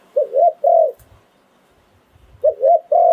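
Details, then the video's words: Decoy spotted dove, ground-decoy bird of the สายโผน หลิ่วตัน song style, 2022: low cooing phrases, each a quick two-note stutter then a drawn-out coo, twice with a pause of about a second and a half, with faint low thumps between. "เสียงนกต่อดิน 2022 สายโผน หลิ่วตัน #คารม"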